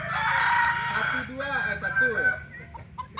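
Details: Kokok Balenggek rooster from Solok, West Sumatra, crowing: a loud harmonic note held for about a second, then a string of short, rising-and-falling syllables that fade out by three seconds.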